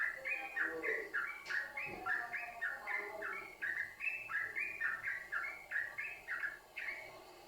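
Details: A yellow-vented bulbul pours out unbroken chattering song, used as lure audio for other bulbuls. Bubbly paired notes repeat rapidly and evenly, with a brief sharp click near two seconds.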